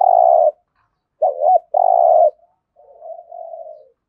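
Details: Spotted dove, 'giọng thổ' cooing to stimulate other doves: a long steady coo, then a short wavering double note and a second long coo, followed by a softer drawn-out, fading coo.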